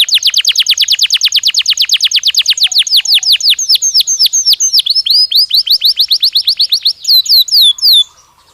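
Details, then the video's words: Belgian canary singing naturally, a long steady trill of quick falling notes that gradually slows into separate, louder downslurred whistles before ending abruptly. "Som de 1 Hora com Canario Belga Cantando Naturalmente"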